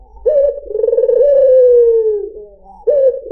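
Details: Puter putih, a white dove, cooing to lure other birds: one long throaty, vibrating coo that slowly falls in pitch, then a fresh coo begins at the end.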